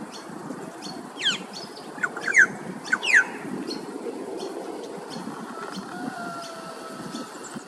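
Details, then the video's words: Male Australasian figbird in Queensland, Australia, singing on an afternoon: a cluster of loud, quick downslurred whistles in the first three seconds, followed by background chatter and a faint steady hum. "Australian Figbird Singing"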